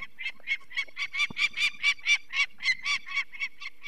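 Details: Peregrine falcon at its nest in the Barycz Valley, Poland, on 2 May 2023, alarmed as people take one of four chicks with eye problems: a harsh, rapid kak-kak series, about four loud calls per second throughout.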